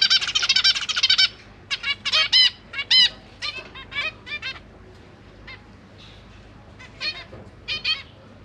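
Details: Zebra finch family in a cage, parents feeding three juveniles and three newborn babies, recorded on a GoPro: a dense burst of rapid nasal harmonic calls, then scattered single and paired nasal notes with pauses between.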